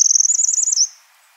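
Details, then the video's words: Wild Eurasian wren giving a single high, rapid trill of about one second that wavers slightly in pitch, then fades into quiet. "chants et cris du troglodyte mignon- HD/ calls and songs european wren"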